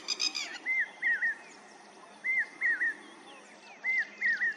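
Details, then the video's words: Northern lapwing gives slurred, wheezy 'pee-wit' notes in quick pairs, each rising then dipping, about every one and a half seconds, after a brief harsh opening burst. "Voice of Lapwing Bird"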